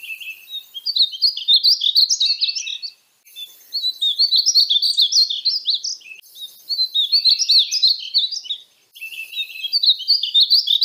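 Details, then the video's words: Painted bunting (Passerina ciris) song: four bright, jumbled warbling phrases of quick high notes, roughly every three seconds, separated by brief silences. "Conheça o belo canto do pássaro estamenha pintada (Passerina ciris)"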